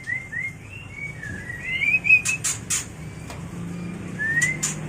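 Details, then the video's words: Mating song of a white-rumped shama for training and luring birds: a chain of clear whistles gliding up and down, then loud clicks and one rising whistle at the end. "Suara murai batu kawin paling ampuh untuk terapi dan pikat burung agar cepat gacor"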